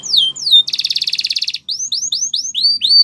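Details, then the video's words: Canary training song: high descending whistled slurs, then a fast buzzy rolled trill of about a second, followed by a run of rising upslurred whistled notes repeated rapidly; clean recording, no other sounds. "Canary Bird Singing Training"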